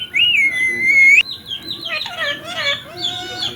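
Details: Ringneck parrot talking, repeating "mummy papa": a clear, sustained whistled tone first, then a run of shorter warbling, speech-like syllables that bend up and down.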